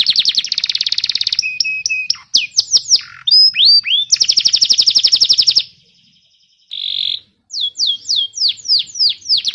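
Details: Canary singing in a training recording for young canaries and birds that no longer sing. Fast trills and swooping whistles, a short gap, a brief buzz, then a run of repeated falling notes.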